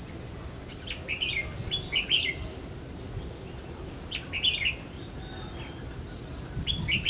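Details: Red-whiskered bulbul used as a decoy, singing to lure rival birds into a trap, recorded 5 July 2016; short bright warbled phrases come in brief bursts every second or two over a loud, steady, high insect drone.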